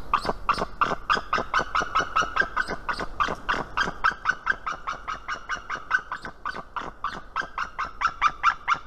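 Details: Female white-tailed eagle at her nest in Estonia, filmed by a live nest camera at 7:04 am on 19 March 2018, giving warning calls: a long, fast, slightly uneven series of sharp yelping notes, several per second, without pause.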